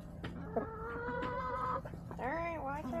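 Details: Backyard chickens filmed on March 24, 2024 make a series of drawn, nasal hen calls, some held level and one bending upward, over a constant low hum.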